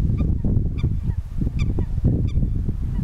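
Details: Common pochard calling: short, nasal, harmonic-rich notes repeated roughly every half second, some overlapping, over a steady low rumbling background.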